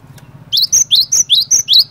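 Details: Lure song of a gacor cinereous tit, meant to prompt other tits to answer. After a short quiet start, six rising whistles follow evenly, clear and ringing, over a faint background hum.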